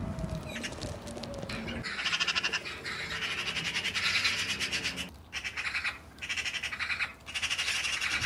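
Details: Magpies showering in a duck pond give harsh, rattling squawks in bursts over steady splashing and running water, with a low hum at the start.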